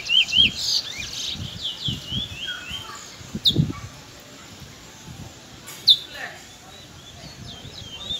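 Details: Afternoon song of a young Trinidad bullfinch (chestnut-bellied seed finch): quick tumbling whistled notes in the first seconds, then scattered sharp clicks and a quiet background with faint low thumps.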